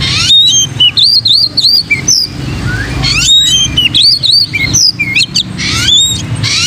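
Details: Singing oriental magpie-robin, a recording for training other magpie-robins: fast looping whistled phrases with wavering up-and-down notes, interspersed with harsh broadband chips, two bursts of song, over a faint low rumble.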